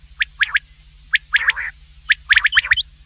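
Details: Harsh, stuttering call series from a black francolin, grouped in quick runs of three to five clicking notes with short pauses between, backed by a faint continuous low drone.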